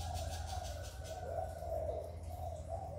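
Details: Spotted dove coo used to rouse caged doves: low, mellow cooing runs on almost without pause, backed by a steady low-pitched hum.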